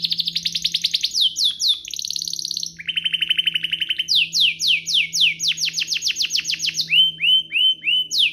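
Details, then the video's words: Domestic canary song meant to provoke other canaries: rapid descending whistled notes, buzzy trills, and a string of loud downward sweeps, over a faint low hum. "Pancingan kenari biar gacor"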